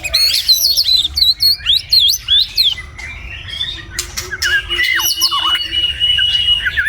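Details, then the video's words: White-rumped shama in Vietnam singing in the morning, beginning with rapid high zigzag trills, then a long level whistle and varied lower notes, with some clicks. "Enjoy the sound of the white-rumped shama singing in the morning"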